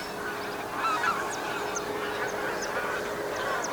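A flock of geese honking together, a steady overlapping chorus of nasal calls, with faint high chirps from other birds above.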